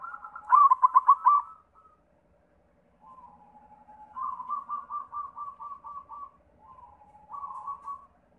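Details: White zebra dove singing, used as a lure to get other zebra doves to sing. It gives mellow, low cooing phrases: a loud rapid burst, then a pause, then soft trilled coo series repeated in rhythmic pulses.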